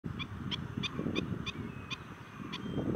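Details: Black-winged stilts in a heated argument at Dodda begur Kere, 7 March 2020, giving sharp, yapping kek notes, roughly three per second, over a heavy low rumble of wind or distant noise.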